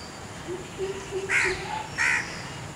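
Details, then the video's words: A southern coucal gives two short, harsh, rasping bursts about a second apart, preceded by a few faint, low hollow notes. "Short Kilck 03Southern Coucal"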